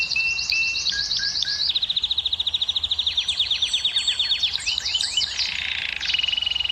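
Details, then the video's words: Canary singing to stimulate hens to breed, opening with varied whistled notes, then a long, rapid, evenly pulsed high trill, a series of sliding chirps, and a closing steady whistled tone. "كناري مجنون - الكناري المجنون سبحان الله أفضل صوت لتهييج إناث الكناري وحثهم على الزواج"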